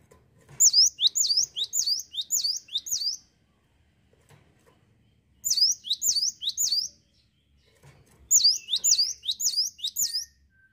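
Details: Cinereous tit in lively song, giving three bursts of rapid, high, ringing two-part notes, each burst lasting one to two seconds, with short silent pauses between them.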